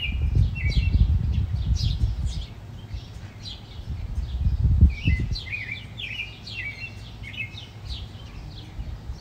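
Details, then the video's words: Dense, excited chirping and twittering from house sparrows fighting, with loud low rumbling noise in the first half. "The Epic House Sparrows Fight"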